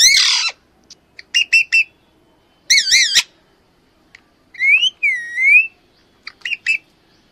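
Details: A female Alexandrine parakeet gives loud, harsh squawks and rolling screeches in short bursts, some wavering up and down, with quiet gaps between.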